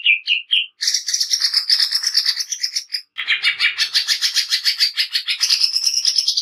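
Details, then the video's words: Greater green leafbird in a coarse, fast training song, three short whistles then continuous scratchy buzzing trills, broken only by a short gap midway. "Cucak ijo nembak kasar"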